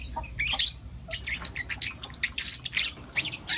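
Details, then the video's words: Morning chirping from four young lutino lovebirds: a quick run of rasping, buzzy chirps and squawks, some overlapping, coming several per second against faint low background noise. "Lutino LoveBird Chirping Sounds"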